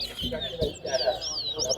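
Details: Towa towa (large-billed seed finch) in a singing competition at Lusignan bird ground: bright, rapid warbling phrases with sweeping whistled notes, over men talking and counting nearby.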